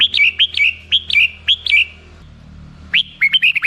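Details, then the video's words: Black-crested bulbul singing a series of five similar slurred, downward-curving chirps about every half second, a short gap, then a quicker cluster of chirps. "suara burung merbah jambul"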